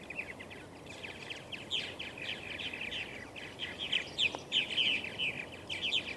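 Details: Western purple martins, including a banded male, at Steigerwald Wildlife Refuge, Washougal, Washington, 28 May 2013: continuous rapid gurgling chatter and creaky chirps, about three notes a second, growing louder toward the end over steady background hiss.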